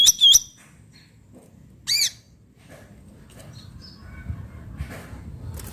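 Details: Cucak ranting bulbul in the wild: two quick bright whistled notes open the recording, a later harsher burst follows, then soft rustling background noise.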